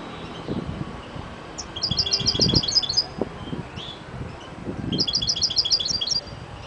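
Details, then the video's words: European goldfinch (Carduelis carduelis) giving two quick bursts of high, tinkling twittered notes, each about a second long, over low rumbling background noise. "Καρδερινα carduelis carduelis"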